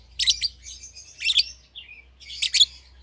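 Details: Caged lovebird pair, euwing green opaline with red-eyed albino, young and not yet bred, give three bursts of shrill chirps with a short squeaky note between, a faint low hum underneath.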